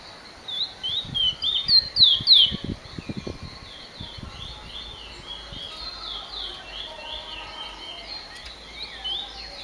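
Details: Finch singing: a quick burst of high, sharp, slurred chirps in the opening seconds, followed by a softer stream of faint twittering notes, with some low thumps in the background.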